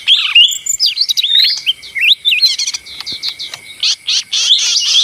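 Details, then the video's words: Busy leafbird song, ijo mini (daun): varied high whistles and bent slurs, a short rattle-like burst, then loud repeated chirps in quick succession. "suara ijo mini (daun)ribut paling ampuh"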